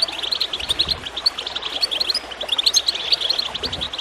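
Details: Goldfinch chirping, recorded to encourage birds to sing: a steady run of high, clipped twittering notes in uneven clusters, over a soft bed of gurgling water.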